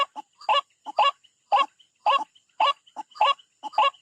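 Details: White-breasted waterhen attacking a rival, a recording for bird trapping: loud, harsh honking croaks in paired notes, repeated about twice a second in a steady, driving rhythm.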